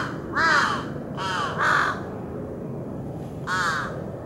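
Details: Large-billed crow, parent with young, recorded 26 July 2018 while the parent preened its chick: four harsh, nasal caws, a quick pair in the middle and a lone one near the end, over a steady low rumble.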